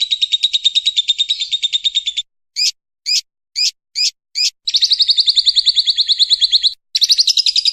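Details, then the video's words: Lovebird giving a long trill used as a training model for other birds: a fast, high, buzzy rattle held for about two seconds, then five short sharp chirps, then more long rattling trills. "Masteran burung lovebird ngekek panjang"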